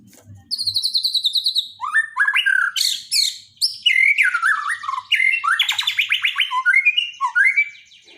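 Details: Daily tutor song of a Borneo white-rumped shama for birds that stopped singing: a long, loud, varied outpouring of high trills, sweeping slurs and rapid chattering notes with hardly a pause.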